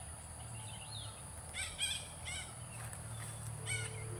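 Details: Wild red-breasted parakeets in a flock, feeding on sengon pods in a tree by a reservoir in the morning, give harsh, nasal, trumpet-like squawks in short bursts, three or four over a few seconds, over a low rumble.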